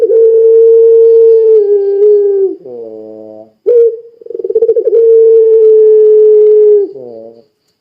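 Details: Puter pelung (Barbary dove) in lively gacor song, used as a lure to make other doves call too: a long, steady, drawn-out low coo, a short buzzy lower note, a brief stutter, then a second long held coo.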